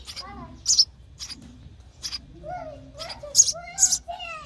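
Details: Sparrow chicks in the nest beg for food while being fed, giving short, sharp high chirps in quick bursts with thinner falling squeaks mixed in, over faint low background noise.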